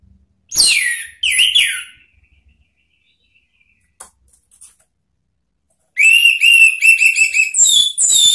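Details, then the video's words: An orange-headed thrush song used as a lure to call a rival: bright, sweeping whistled phrases in two early bursts, then after a pause a rapid run of repeated high whistles and warbled notes. "SIULAN ampuh ANIS MERAH MEMANGGIL LAWAN"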